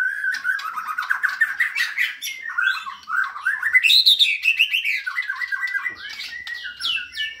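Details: Energetic white-rumped shama song: dense rapid chatter of mixed whistles and harsh notes, rising to a brighter high passage midway, then descending into quick clipped phrases.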